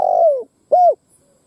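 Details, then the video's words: Spotted dove used as a decoy to provoke wild doves to fight: the tail of a long, downward-sliding coo, followed by one short, rounded, mellow note and silence. "Tiếng Chim Cu Gáy mồi đất gáy kích bổi Mở là gáy"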